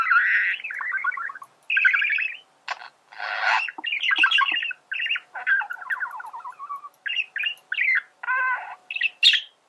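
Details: Singing male budgerigar, recorded to teach birds to sing; varied chatter of buzzy phrases, squawky notes, clicks and high squeaks in quick succession with short gaps.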